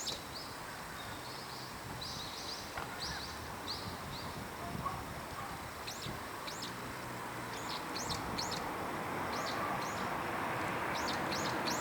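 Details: Brown-eared Bulbuls high in a park tree in winter trade shrill calls with others nearby: short high buzzy notes, then sharp squealing slurs that drop in pitch, repeated every second or so, over steady background noise.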